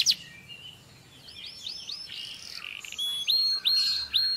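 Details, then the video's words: Canary singing, said to stimulate mating; faint scattered chirps early, then clearer repeated rising whistled notes with hooked ends in the last second and a half, over low background hiss. "Beautiful canary singing, listen, do not miss it غناء كناري جميل اسمع لا يفوتك"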